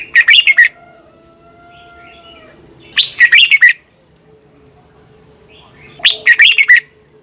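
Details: Red-whiskered bulbul song from Thailand for training or exciting birds: the same phrase of five or six quick, bouncy whistled notes repeated three times, about every three seconds, with a faint steady high tone behind.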